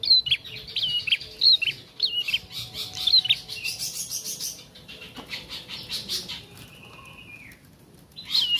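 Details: Young bar-winged prinia learning to sing: short upslurred whistled notes around the high middle range, interrupted by rapid buzzy rattling bursts, then a long flat whistle and another sharp note near the end.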